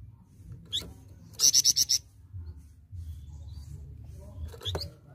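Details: Flamboyan heard live, not from a recording, in busy song: one short burst of five fast, piercing high notes, then clicks over a low humming background.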